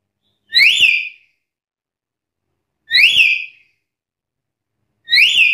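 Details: Black-capped lory calling to challenge rivals: three loud ringing whistles about two and a half seconds apart, each rising sharply then slurring down, with strong overtones; no other sounds.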